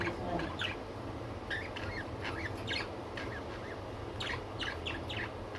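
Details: Pet budgerigars chattering softly, with many short rising chirps scattered through the recording against a steady low room hum and hiss.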